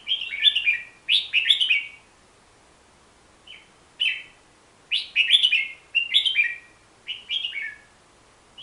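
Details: Hook-billed bulbul singing a series of quick, bright, chattering phrases, each a tumble of several descending chirped notes, repeated about once a second with brief pauses between, in a quiet setting.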